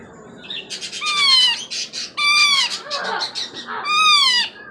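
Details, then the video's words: Baby Indian ringneck (rose-ringed parakeet), about four months old, already fed and not in pain, crying for attention. It gives three harsh, rasping bursts, each a loud downward-sliding squawk about a second long, with softer chatter between. "baby Indian Ringneck making crying sounds"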